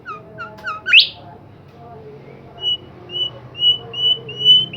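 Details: Bimoli bird singing energetically: quick chirps and a loud rising sweep, then a short gap followed by a series of clear, level whistled notes repeated about every half second.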